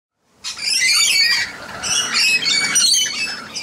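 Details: Red-collared lorikeet seen up close, giving loud, harsh, grating screeches in a near-continuous burst of about three seconds, with two or three rasping phrases that run together.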